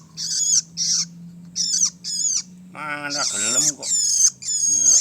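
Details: Young long-tailed shrike giving harsh, high, raspy calls in short bursts about half a second long, separated by brief pauses; midway a lower, strongly layered squealing call overlaps the series, then the rasping bursts continue back to back.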